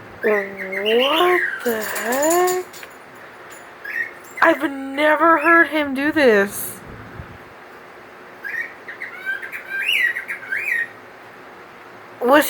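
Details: Recently adopted pet cockatiel gives bursts of clear, wavering whistles that swoop up and down, apparently mimicking tropical birds heard at the store, likened to an Amazon parrot; first time the owner has heard this.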